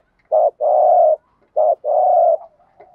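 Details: Spotted dove lure call used in training, gù thúc type: two pairs of coos, each a short low note followed by a long, broad, buzzy coo, with a soft trailing note at the end.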